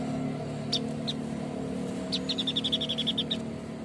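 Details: A white-breasted babbler sings steadily: two isolated high notes, then a rapid, even trill of about a dozen bright, beaded notes, heard over a steady low hum and background noise.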